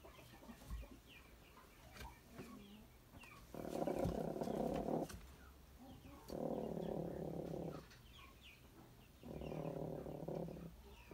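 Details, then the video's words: Hens growling while squabbling over space in a cage after one laid an egg to brood; three separate rough, purring growls of one to two seconds each, with faint background noise. "Куры умеют рычать Interesting fact Chickens growl like dogs"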